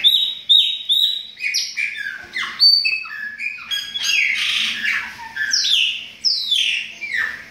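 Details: Chopi blackbirds in full song, a steady run of ringing whistles that slur downward, with some buzzy rich notes toward the end. The phrases come about every half second.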